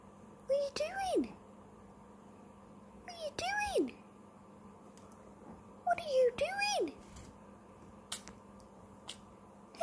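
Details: Pet conure parrot in the morning, indoors, giving loud arched squawks in pairs roughly every three seconds, each rising then falling sharply, with sharp clicks between and a person's voice nearby.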